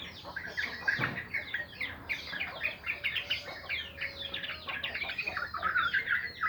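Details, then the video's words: Yellow-vented bulbuls in the morning: a dense, overlapping chatter of short bubbly and warbled notes between mid and high pitch, several birds calling at once, with a brief low thump near the first second. "Burung trucuk senam pagi"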